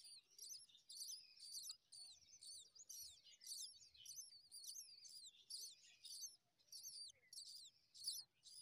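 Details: Common myna chicks being fed worms by their mother, eagerly chirping for more: high, harsh, rapidly repeated squeaky chirps in dense bursts, nearly continuous through the recording.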